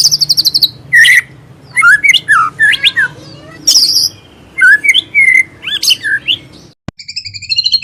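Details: Singing white-rumped shama with full mimicry fill, mixing fast high trills, harsh squawky notes and slurred whistles in varied bursts.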